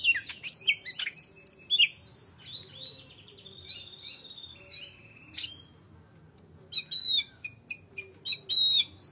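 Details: Greater green leafbird song opening with rapid chirps and whistles, fading to quiet, then returning with clear looped whistled notes and crisp ticks in the last seconds.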